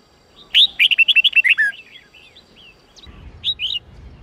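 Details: Red-whiskered bulbul training song, Sông Kôn type, 8-9-10 note pattern. A loud, quick sequence of about nine bright whistled notes is followed by softer trailing chirps and a short two-note phrase.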